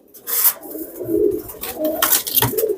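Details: Young Pakistani teddy pigeons, newly brought home, indoors: low murmuring coos around the middle and end, broken by sharp rustling and scraping bursts.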